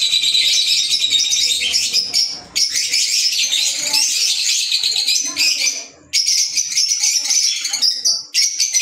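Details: Green Fischer's lovebirds kept as pets chatter in long, loud, high-pitched runs of overlapping chirps, with two brief drops in volume.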